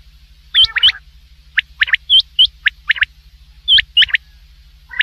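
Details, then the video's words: Common quail heard at night giving clipped, high chirping notes in pairs and small clusters, some ending in a short upward hook, spaced by irregular pauses of about half a second, over a steady low background hum. "quail voice for night | Batair ki awaz"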